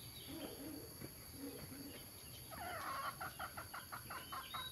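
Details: Mixed-breed red junglefowl, mature males and females, recorded at Nam Som, Udon Thani, Thailand; soft low murmurs first, then a run of quick, loud clucks, with insects humming throughout.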